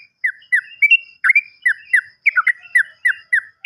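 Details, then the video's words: Sooty-headed bulbul used as a lure to restart silent birds: crisp, evenly spaced, downward-sliding chirps, nearly one per quarter second, with a quick double note near the middle. "PANCINGAN BURUNG TRUCUKAN MACET BUNYI"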